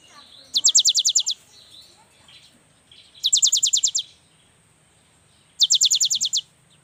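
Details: Singing young cinereous tit, meant to lure lazy young tits into song. Three bright high trills of about nine quick down-slurred notes, spaced roughly two seconds apart over a quiet background.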